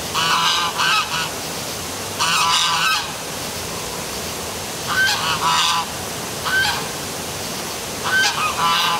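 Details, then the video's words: Noisy geese calling at night by the Milford, Connecticut city waterfall: loud, harsh honks in rapid doubled bursts, several overlapping, set against the steady hiss of the cascade. "Dark Night Geese Calling by Waterfall"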